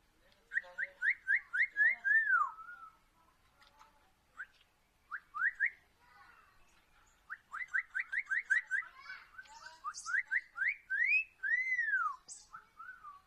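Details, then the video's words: Parrot giving runs of rapid, rising whistled notes in several bursts. A long, arching downslurred whistle comes near twelve seconds, and short pauses separate the series. "Parrot Natural Sounds - Parrot Talking"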